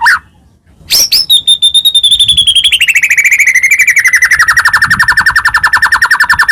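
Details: White-rumped shama singing to provoke other birds, a Medan bird in full varied song: after a short pause, a long rapid trill that starts high and thin and slides steadily lower, pulsing fast for over five seconds.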